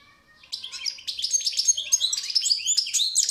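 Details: A continuous, rambling stream of goldfinch twittering: crisp high chips, thin whistles and quick slurs. The notes are packed tightly and keep going to the end of the recording, with no other sounds.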